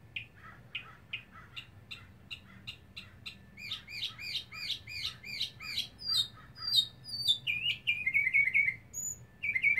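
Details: A lonely male mockingbird in a back yard sings to attract a mate, stringing together varied phrases, each repeated several times before switching: slurred notes, then buzzy chips, then a high trill.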